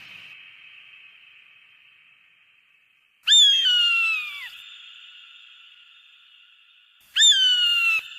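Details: Eagle call used to scare away pests: two loud, harsh, downslurred screams about four seconds apart, each falling over roughly a second, over a steady faint whistling hum.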